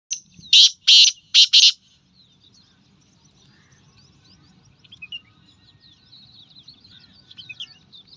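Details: In the morning, a Black francolin gives four loud, harsh, grating notes in quick succession, then falls quiet while faint chirps from other small birds continue.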